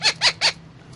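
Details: Indian ringneck parakeet eating guava gives three quick harsh screeches, each about a tenth of a second, evenly spaced, over a faint low hum.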